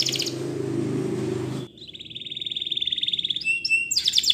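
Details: Belgian canary song: a brief high trill over low rumbling noise, a pause, then a long pulsed trill held steady, closing with bright chirps.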